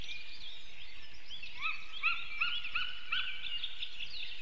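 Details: Male White-tailed eagle calling from the forest while the female preens, early morning of 17 April 2015: a short series of rising, yelping notes repeated about three times a second, over a dense chorus of other birds.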